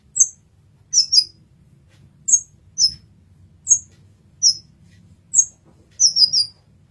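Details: Brown-throated sunbird, masteran recording: piercing high chirps repeated roughly every half second to second, some doubled, closing with a rapid four-note run; faint low background hum.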